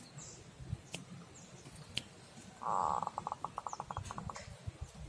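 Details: Zebra dove singing in the snoring style known locally as ngorok: a sudden loud burst followed by a rapid run of short, clipped staccato notes that slow slightly toward the end, over a quiet, low rumbling background.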